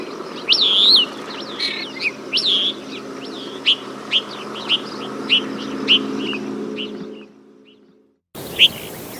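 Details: Desert Finch repeating clipped, upslurred chirps about every half second to second over a low hum, then a sudden silence and one final chirp.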